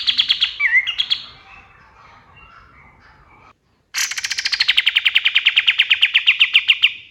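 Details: Male white-eye, called kapas tembak, singing at dawn, said to be from wild forest: a fast run of sharp repeated notes, then after a short silence a longer trill of about thirty notes sliding down from high to mid pitch.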